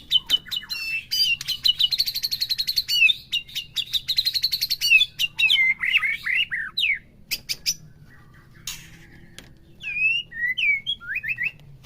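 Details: White-rumped shama, kept in a cage, singing to stir other shamas into full bongkar song: long, rapid, buzzy trills and rattling chatter, then a pause, followed by scattered sharp whistled slurs.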